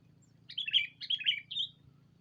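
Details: Sooty-headed bulbul lure call used to call a rival: two bubbly, slurred phrases of quick chirpy notes dropping and rising, then a short higher whistled note, over a faint low hum.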